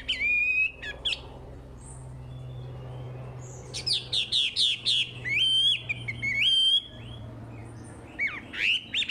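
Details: Chinese hwamei in vigorous song for luring untrained hwamei: scattered sharp whistles, then a dense series of repeated ringing phrases and long rising and falling whistles over a low hum.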